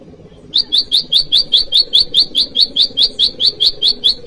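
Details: Rival-calling bar-winged prinia (prenjak lumut or ciang-ciang), for luring wild birds and training cage birds: after a brief lull, an unbroken run of about eighteen even, rapid high chirps.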